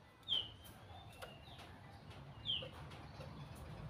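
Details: White-rumped shama: a short, bright whistled note sliding downward, given twice about two seconds apart. Faint clicks and a low background rumble.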